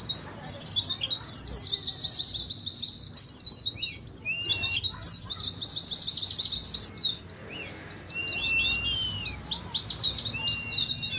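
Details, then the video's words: Long stretch of Oriental white-eye ngeriwik song used as a training lure and contest simulation: thick, fast, very high twittering, a softer patch around seven to eight seconds, then renewed chirp runs with occasional short whistles. "TERAPI PLECI NGERIWIK , PANCINGAN PLECI NGALAS"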